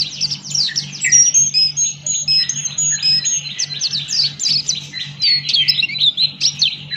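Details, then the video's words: A Buxton's white-eye sings loudly with open beak: a fast, unbroken stream of high, thin twitters and chirps with no pauses, over a low steady hum. "Burung Pleci Buxtoni Gacor Ngalas Buka Paruh"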